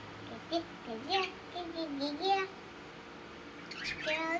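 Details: A female pet budgerigar chatters in a soft, voice-like warble, ending with a few sharper rising chirps.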